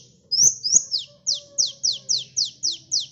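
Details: Sunbird in lively full song, a recording used to lure birds: two thin rising-falling whistles, then a fast run of about eight sharp, high downslurred notes, steady and clear over a faint low hum.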